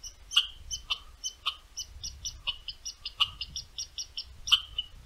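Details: At a boreal Ontario feeder, a returning western meadowlark calls with clipped, bright "churt" notes, a few louder accented ones standing out among quicker softer chips over a low background hum.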